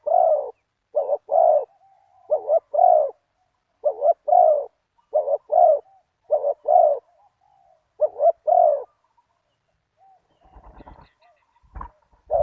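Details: Low, resonant coos from a spotted dove decoy in the deep '1 kuk' style, calling a target bird. Eight rapid phrases of a short note plus a drawn coo, then clicking and knocking sounds before a final coo.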